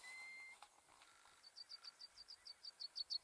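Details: European golden plover calling in Iceland: a loud, steady, plaintive whistle for half a second, then a quieter fast run of about thirteen short high chirps, sharpening toward the end.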